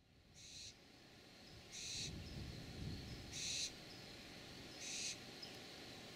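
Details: Barn owl family recorded before dawn on June 3, 2012 in San Rafael, California: four harsh, hissing screeches spaced roughly every one and a half seconds, with a low rumbling background.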